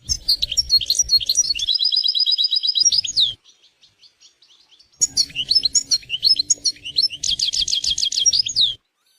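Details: European goldfinch in nature delivering lively twittering song, with a rapid even trill of repeated high notes, a short gap of near silence, then another burst of jumbled chirps ending in a fast rattling trill.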